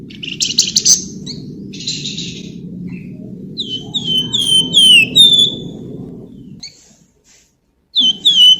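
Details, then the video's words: Flamboyan singing actively, a song meant as a lure to stimulate other birds to sing: clear, falling whistled notes repeated in quick runs, with rough chattering bursts, over a steady low rumble, then a short silence. "FLAMBOYAN GACOR SUARA NYULING BENING CERECETAN COCOK BUAT PANCINGAN"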